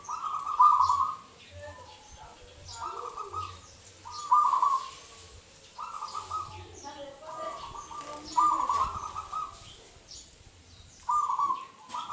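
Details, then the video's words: Indonesian local zebra dove singing energetically, recorded as a lure: repeated bubbling, trilled coo phrases roughly every two seconds, each with a rolling accent, over soft low hum. "Suara Pikat Perkutut LOKAL Super Gacor sangat COCOk Buat Pancingan Perkutut Lain"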